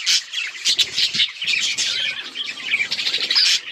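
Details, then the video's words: Budgerigars, seemingly several birds together, keep up a dense, scratchy, high-pitched chatter of rapid chirps and squawks that overlap without pause. "Budgrigar Bird Sound to Reduce Stress | chirping noises"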